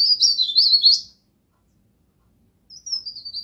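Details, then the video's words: High, rapidly warbled pied bush chat phrase, pare pare in the local name, recorded for training other songbirds. A one-second jumble of twittering notes ends on a sharp upslur, then a fainter falling thin whistle follows after a silence. "MASTERAN BURUNG PARE PARE"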